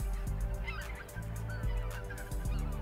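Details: Greater white-fronted geese near the Hii River mouth, Izumo, on a dark mid-December winter morning, give several high, nasal yelping honks in quick succession over a steady low rumble of wind or distant traffic.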